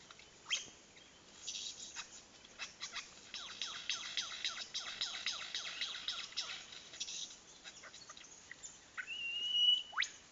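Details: Lyrebird in the Dandenong Ranges National Park, courting while imitating blaster noises: rapid runs of high, falling laser-like zaps and sharp chirps, densest in the middle, ending with a clear whistled note and a few louder snaps.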